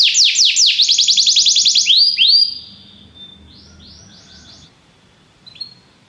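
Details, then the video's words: Belgian canary training song: bright rapid descending whistles and two swooping notes for about two seconds, then fading to faint distant twitters with a quiet background. "Canário belga tenta todos os canários a cantar - o treinamento mais mágico"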